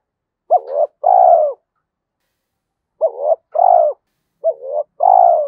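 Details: Spotted dove delivering its 'giọng thổ' Thúc Đấu voice, considered fit for forest trapping; three soft coo pairs, a clipped upward note then a longer falling tone, gaps of a second or two, no other noises.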